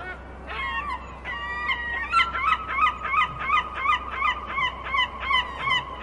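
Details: Gulls on a beach open with two drawn-out nasal cries, then break into a fast series of yelping, laughing notes, about three per second, over a low steady rumble.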